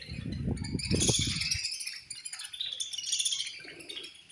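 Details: Colony of budgerigars chirping at feeding time, with overlapping high twitters and squeaky chatter; low thumping and knocking sounds fill the first second and a half.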